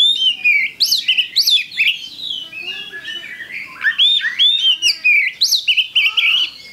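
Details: Oriental magpie-robin lure song: loud, crisp whistled phrases with steep upsweeps and falling slurs, delivered in rapid bursts one after another, with short squeaky notes mixed in.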